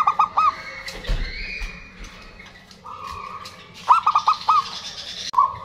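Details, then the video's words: Local zebra doves, loud active singers, males and females replying to one another, played to prompt non-singing birds: quick clipped hooting notes in clusters of four, a drawn-out rolled coo between them, with faint background rustle. "PERKUTUT LOKAL GACOR, SUARA BAGUS UNTUK PANCINGAN MACET BUNYI"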